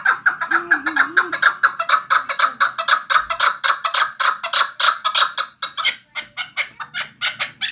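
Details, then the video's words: From Vanj, a chukar partridge calls in a rapid, even stream of throaty chuk notes several per second, with a short wavering tone heard early on, easing to looser notes near the end. "Кабки Ванҷ"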